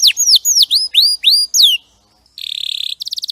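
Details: Champion canary song for tutoring other birds: five loud curved whistles, each rising then falling, a short pause, then a buzzy low trill and a quick staccato rattle.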